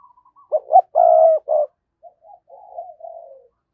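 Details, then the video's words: Captive decoy spotted dove, recorded in 2022, giving its thúc and gáy calling coos meant to provoke wild doves: soft introductory notes, then a loud, low, hoarse three-part coo with a long middle note, followed by quieter trailing coos. "tiếng cu gáy - Chim Cu Mồi Thúc Và Gáy Gọi"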